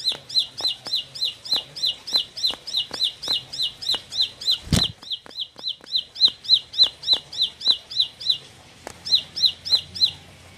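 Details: Bar-winged prinia aged four months, said to be turning into a fighter, pours out a long series of quick piercing chirps, over thirty in all, interrupted by one heavy thud midway and a short break near the close.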